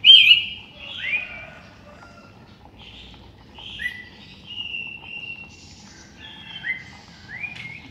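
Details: Sooty-headed bulbul singing in the morning: short clear whistled phrases, some rising and some falling, given in spaced bursts with pauses between, over a faint low background hum.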